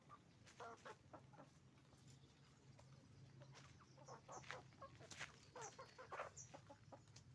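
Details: Roosters and hens on a chicken farm making noise: a busy stream of short, sharp clucks and squawks, some overlapping, growing denser in the second half over a steady low hum.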